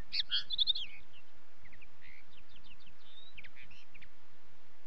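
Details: Common linnet song: a loud opening burst of rapid twittering notes, then softer scattered chirps and short rising whistles over steady low rumbling background noise.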